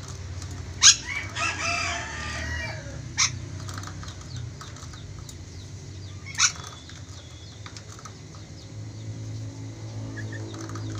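Ornate lorikeet giving three harsh, shrill screeches a few seconds apart, with softer chattering between them over a low steady hum.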